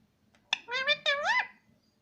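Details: Pet parrot talking: a short click, then two connected speech-like phrases of layered, wavering tones, the last sweeping up and down, lasting about one second in a quiet room.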